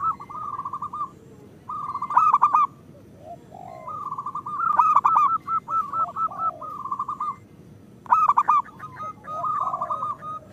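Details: Zebra doves of local stock in steady song, meant to coax reluctant birds: quick strings of mellow repeated coo notes forming long phrases, broken by louder harsh clustered notes about every three seconds.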